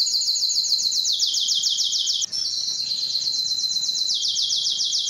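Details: Male Belgian canary singing to stimulate hens for breeding; a quick run of descending sweeping notes, a tiny break, then a long rapid rolling trill that drops slightly in pitch.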